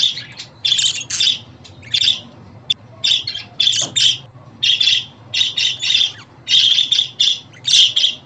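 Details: Budgerigar calling sounds meant to cheer a pet budgie: bright, scratchy chirps in quick bursts, often in pairs or triplets with short gaps, steady through the stretch over a faint low hum.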